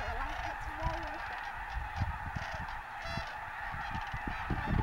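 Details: Snow geese on their wintering grounds at Bosque del Apache National Wildlife Refuge: a quieter, more distant chorus of scattered short honks, with one longer wavering call early on.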